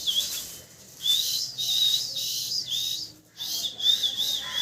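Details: Loud parrot chirping: high, thin whistled notes with a hissy edge come in sustained bursts of about one second, separated by brief pauses, with a steady faint hum underneath.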